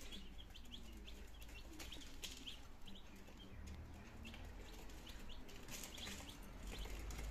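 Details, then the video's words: Second-day domestic chicks, nineteen of them, in Germany on 17 September 2022, beginning to feed and drink; scattered high cheeps, busier at the start and end, over rumbling low background noise. "My Chicks in second Days - Meine Küken in der zweite Tag"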